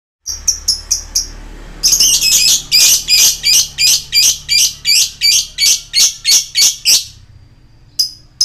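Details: Lovebird giving harsh 'koek' calls, a lure meant to make young lovebirds excited and trill: a few quick shrieks, then a rapid, steady run of about fifteen grating notes near three per second, and one last shriek.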